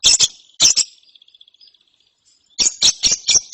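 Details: Lovebird chick, after therapy, making rasping buzzy chirps in pairs, then a soft faint trill, then a fast run of harsh chirps.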